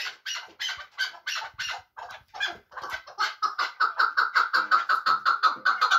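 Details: Chukar partridge from Muminobod, a hunting bird, beginning with spaced, scratchy notes that speed up into a rapid rattling chuk series.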